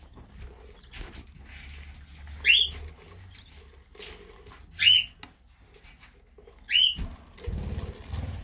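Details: A group of parakeets calling: three loud, short, rising screeches spaced about two seconds apart, each sweeping sharply upward, over a steady low rumble and faint background chatter.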